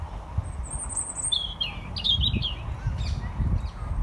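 A European robin sings thin, high warbling phrases with quick slides for about two seconds, over a steady low rumble of wind.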